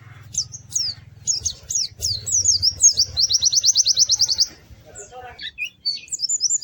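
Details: Lively, melodious song of a pleci (white-eye): separate high slurred whistles, then a long, fast trill of bright repeated notes, followed by a pause and more high twittering, with low background hum early on.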